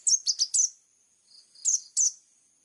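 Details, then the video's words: Plain-throated sunbird in gacor song: four quick high slurred chirps, a brief gap and a faint note, then two more piercing downslurred chirps. "KOLIBRI NINJA GACOOR FULL TEMBAKAN TAJAM||suara jernih"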